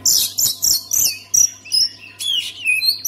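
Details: Oriental magpie-robin singing to set other magpie-robins singing: loud piercing whistles in short bursts about every third of a second, mixed with downslurred notes, over a faint low hum.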